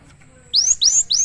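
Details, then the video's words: Three clear ascending whistles from a cinereous tit, delivered rapidly and evenly spaced over under a second. "suara burung gelatik batu"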